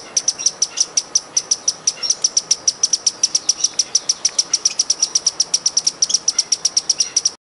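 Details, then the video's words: A wild hummingbird gives a steady run of thin, very high, tinny chips, about five or six per second, evenly paced throughout with no other sounds. "Som e Canto do beija-flor silvestre"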